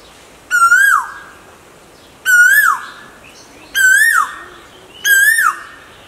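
An Asian koel gives four loud, clear whistled notes, each rising briefly then sliding down, repeated roughly every one and a half seconds over a quiet background.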